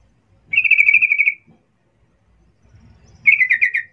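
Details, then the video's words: Sooty-headed bulbul calling to lure others into answering: two trilled, slightly descending bursts of quick repeated notes, each under a second, separated by a pause. "Cuk cuk suara panggilan trucukan gacor ini ampuh untuk pancingan trucukan agar Bunyi cepat respon"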